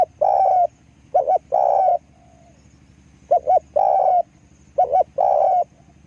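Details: Spotted dove lure bird singing: long coo, then a pair of short hoots leading into another drawn coo, three phrases over a constant low mechanical-sounding hum.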